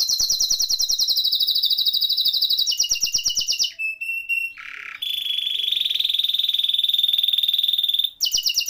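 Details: Gacor canary giving its rolling 'ngeroll' song, used to stimulate canaries that have gone quiet: fast high trills, a few pure whistled tones, then a long sustained buzzy roll and a final trill.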